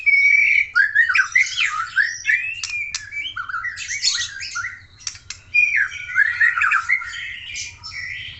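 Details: White-rumped shama of Aceh origin in sustained, busy song of harsh rasping notes, sharp clicks and brief whistled slurs, delivered in dense phrases with short gaps.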